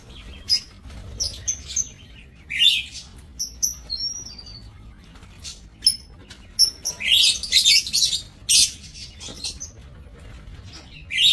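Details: Captive lovebirds in an aviary cage, recorded 5 July 2024; sharp high chirps and squeaky calls come in scattered bursts, with a few clean whistled notes and short louder clusters of overlapping chatter from several birds.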